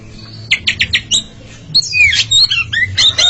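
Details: Oriental magpie-robins, two birds competing in song: four quick chip notes, then a tumbling series of whistled and warbled phrases over a faint low hum.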